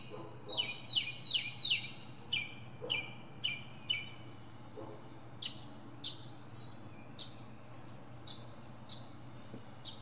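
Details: Northern mockingbird in a pine tree runs through several repeated phrases: a series of quick descending chirps, then higher, sharper metallic notes spaced about half a second apart.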